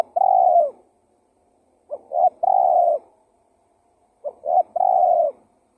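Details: Tekukur lure call from a spotted dove: soft low cooing phrases, a quick double note leading into a long hoot, repeated about every two and a half seconds.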